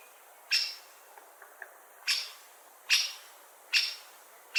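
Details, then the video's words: Great spotted woodpecker giving five abrupt, high 'kik' notes, the first followed by a gap containing faint soft chips, then four calls about 0.8 seconds apart. "Woodpecker Call"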